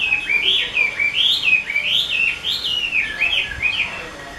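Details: A prized Chinese hwamei kept by a skilled keeper sings a continuous, fluid run of clear whistled notes, rising and falling in quick wavy phrases about two per second, with a quiet background.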